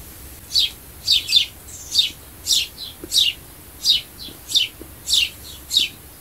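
A sparrow gives bright, high chirps in an uneven run, about a dozen over six seconds, some doubled, against a quiet background.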